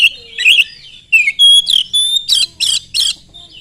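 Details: Oriental magpie-robin lure song for setting off other magpie-robins: a varied string of clear whistles, sliding notes and loud harsh rasps, several coming about every third of a second near the end.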